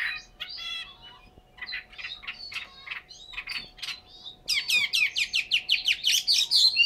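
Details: Chinese hwamei kept caged in Hanoi, Vietnam, starting with soft, spaced buzzy notes, then breaking into a loud fast series of sharp, scratchy chirps repeated about twice per second.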